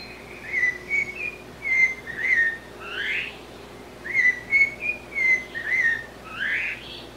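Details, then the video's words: Blue-bellied parrot (sabiá-cica) giving a melodious whistled phrase of short level and rising notes ending in a louder upslurred note, then repeating nearly the same phrase after a brief pause, with little other sound. "SABIÁ CICA Blue-bellied Parrot"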